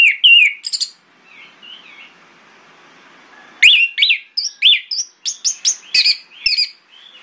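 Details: Morning orange-headed thrush song used to bait rival thrushes into replying. A few whistled notes, a quiet gap of about two seconds, then a lively series of separate sharp whistles and slurred chirps.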